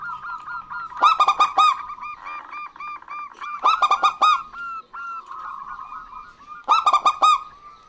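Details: Zebra doves of a local strain, male and female answering each other to draw out other birds; three bursts of loud ringing staccato coos over continuous softer rapid cooing.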